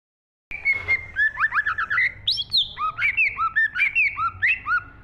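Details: Green leafbird singing actively: a continuous, varied run of clear whistled phrases, slurred up and down and richly mixed, with quick rising and falling notes about four per second, over a low background hum.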